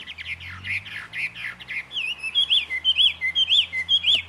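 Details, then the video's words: A jungle babbler, a bird that mimics the calls of other birds, gives harsh, squeaky chattering for two seconds, then clear high whistled notes that rise and fall, repeated about twice a second. "Bird sounds from the Jungle Babbler"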